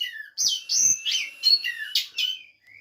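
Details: Oriental magpie-robin at a breeding facility in Banjarnegara, Central Java: a varied run of short whistled and buzzy phrases, some rising, some falling, with a soft upward whistle at the end.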